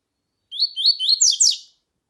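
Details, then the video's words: Double-collared seedeater phrase for stirring up a male: four quick rising whistled notes followed by two louder, descending, slightly buzzy notes, all high and clean over silence. "CANTO DO COLEIRO TUI TUI COM FÊMEA CHAMANDO PARA ESQUENTAR COLEIRO TUI TUI"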